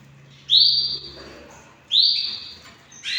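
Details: Hand-tamed pet canary giving long, clear whistled notes that start sharply and hold level before fading, repeated about every one and a half seconds in a quiet room.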